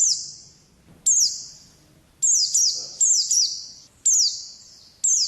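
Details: Oriental white-eye, 'ngalas' wild-type song: loud, high, downward-sweeping whistled phrases every second or so, each trailing off with a strong echo, with faint low background noise between them.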